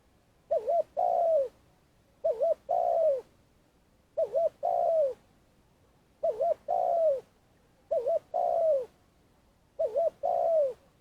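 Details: Long calling of a Spotted dove kept as a trapping lure in Vietnam: six evenly spaced phrases, each a quick trembling coo followed by a longer falling coo, in a quiet setting.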